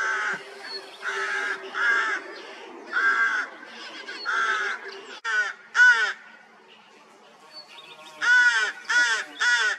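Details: Rooks at a nest with newly hatched chicks, 16 May 2023, after a cold spring: harsh, raspy caws with downward-bending harmonics, a run of broad calls followed by shorter grating calls in bursts, loud and close.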